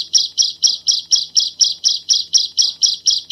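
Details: Bar-winged prinia giving a clear 'shot' style song: a steady string of sharp, high chip notes, evenly spaced about four a second, without other sounds.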